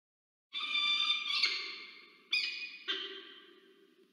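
Peregrine falcon giving four harsh, grating, drawn-out screeches, each fading after a loud start, about one every second, over a low background hum.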